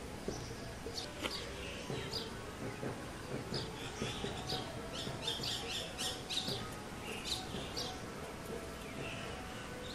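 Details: Male house sparrow, locally called Goriya, perched on a mango tree; bursts of short, sharp, high chirps in irregular runs, some rapid and overlapping, over a steady low hum and background noise.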